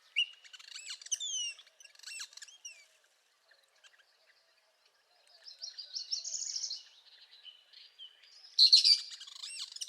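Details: Northern parula singing in spring: rising buzzy trill high in pitch around the middle, ending in sharp high notes, after an opening run of quick, high downslurred whistles and a short quiet pause.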